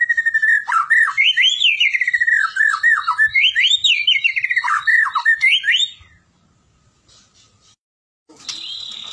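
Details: White-rumped shama song used to encourage other shamas to sing: wavering, warbled whistles rising and falling in fluid phrases for about six seconds, then quiet and a short high whistle.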